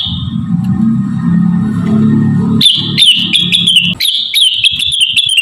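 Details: Javan cochoa singing a model song for training birds: a low droning background gives way to a long, clear, high whistle, broken into repeated slurred phrases with sharp ticking notes, continuing for three seconds.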